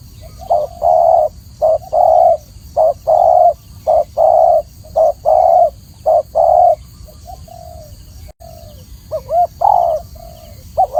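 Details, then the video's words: Spotted dove, or tekukur, in a clear training recording. It gives a steady run of mellow, low coos repeated about once a second, then softer, wavering coos after a brief pause. There are no other clear sounds. "masteran burung tekukur atau spotted dove suara jernih"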